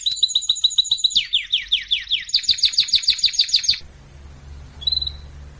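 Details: Canary singing for training: paired high notes repeated quickly, then a run of sweeping downslurred syllables about four per second, ending suddenly, followed by near quiet and one faint chirp.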